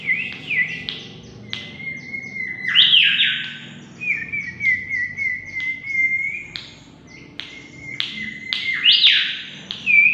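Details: Mangrove whistler singing energetically for luring: long flat whistles alternate with quick rising and falling phrases and bright upsweeps, with faint clicks between phrases.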